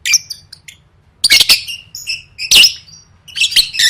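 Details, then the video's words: Lovebird chirping for gantang competition training, gacor style: shrill squeaks and loud buzzy rasping bursts about once a second, with brief high twittering between them. "Suara Burung Lovebird III Latihan Gacor Gantang Siap Juara"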